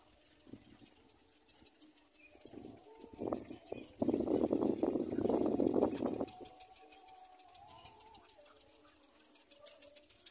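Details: Little black cormorant chick feeding from its mother, reaching into her throat; a burst of loud, harsh, rapid begging squawks after scattered short calls, with faint chirps of other birds around.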